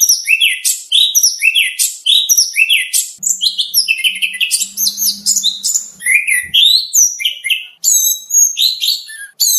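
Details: Kacer (oriental magpie-robin) contest training song with rich material: a long, fast sequence of varied sweeping whistles, downslurs and high sharp chirps, with a faint low hum in the middle.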